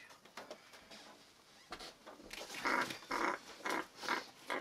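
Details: Eight-week-old grey red-tailed parrot chick during hand-feeding, indoors: after a few seconds of soft rustling and tapping, harsh, raspy begging grunts come in a steady pulse, five loud bursts in under two seconds.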